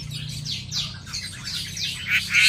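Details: Long-tailed shrike kept as a cage bird, sunning in the morning, giving high sweeping squawky notes that slide downward in quick succession, with louder harsh bursts near the end over a low background hum.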